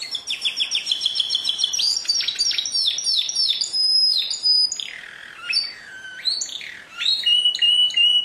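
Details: Singing canary delivering a rapid rolling trill followed by a series of descending slurred whistles and sharp chirps, continuous and lively.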